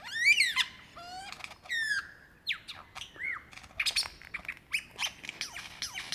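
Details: Male lyrebird calling for a mate in Dandenong Ranges National Park, Victoria, Australia, February 2016; rich varied song of sweeping whistles, rapid stacked chirps and sharp squawks, including mimicry of a kookaburra, loud and close.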